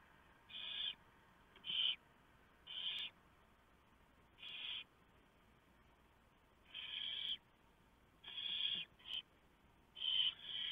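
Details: Nest of barn owls at night in November 2015 as the owlets are fed a large mouse brought by the male. Soft, short, breathy hisses repeat irregularly, roughly every second or two, with occasional clicks.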